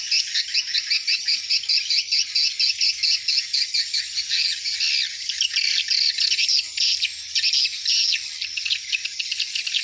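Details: Hundreds of swiftlets returning to roost at dusk, rapid pulsed clicking and twittering in quick, regular bursts, forming a high chattering stream.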